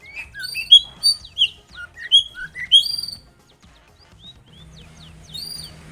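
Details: Singing long-tailed shrike used as a lure for other shrikes: varied series of clear whistled notes, some rising, some falling, in a bright jumbled phrase, then quieter scattered notes over a faint hum.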